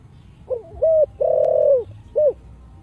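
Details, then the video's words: Spotted dove singing in the deep 'giọng thổ' voice style: a low coo phrase of a short soft note, a held level note, a long drawn-out coo falling at the end, then one short clipped final coo. "Cu gáy giọng thổ đặc đủ bài chiêu - thúc - gù/ cu gáy giọng thổ sấm/ tiếng chim cu gáy kích bổi"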